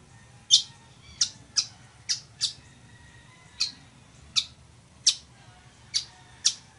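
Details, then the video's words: Village weaver song for teaching caged birds to sing: a series of ten sharp, dry, high chips and ticks, spaced irregularly about half a second to a second apart, over a faint low hum. "CANTO DE AVE TEJEDOR O CHICHIGUAGO"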